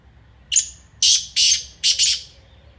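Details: A black francolin (kala teetar) delivers its rasping phrase: a brief sharp lead-in note, then two broad harsh notes and a final close pair, scratchy and loud against near silence.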